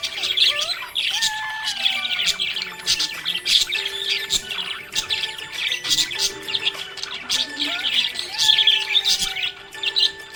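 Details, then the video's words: Cheerful budgie chatter: rapid scratchy squawks and thin whistled slides, nearly unbroken for ten seconds, set against quiet background music. "Happy budgie chirping sound"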